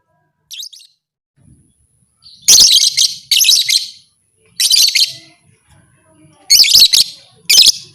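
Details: After a faint chirp, a lovebird lets out five loud, rasping screeches in groups, a call said to goad other lovebirds into fighting. The background is otherwise quiet.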